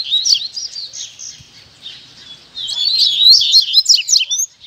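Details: Caged male double-collared seedeater (coleiro) at a keepers' gathering, Tui Tui and Zel Zel song styles, singing more openly today while exercising its song: high, rapid warbled phrases, softer at first, then a loud twittering burst.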